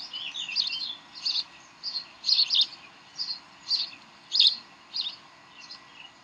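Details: Bald eagles on the Decorah nest, 18 May 2012, 7:45 pm, playing and tugging: clipped high chirps repeated about every half second, some doubled, against a quiet background.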